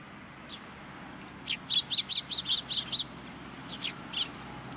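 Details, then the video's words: Sparrows visiting a Tenmangu shrine at first light to be fed, October 2022, after a rainy day; one bird gives a quick run of about eight evenly spaced loud chirps, followed by a few more. "朝一番 餌を貰いに来る雀達"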